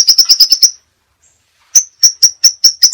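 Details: Crimson sunbird in a tutor recording with many variations, used to train caged songbirds: a fast run of six sharp, high chips, a pause of about a second, then another even series of piercing, evenly spaced chips.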